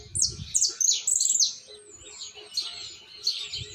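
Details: Argentine white jilguero fledgling practising its misisipi song. Bright, high, downslurred whistles and chirps come quickly over the first second and a half, then softer warbled notes follow. Low thumps and a faint steady hum sit beneath.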